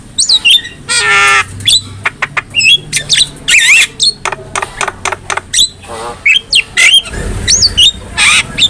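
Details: Javan myna in full song to tutor other mynas: dense harsh rasping bursts, wavering whistles and rapid clicks, energetic and almost unbroken.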